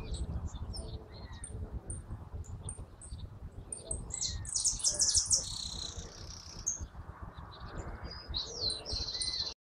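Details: Hooded siskin, known in Argentina as jilguero argentino, giving thin high chirps that build into a dense buzzy twittering trill mid-phrase, then further rising and falling notes, with low background rumble throughout.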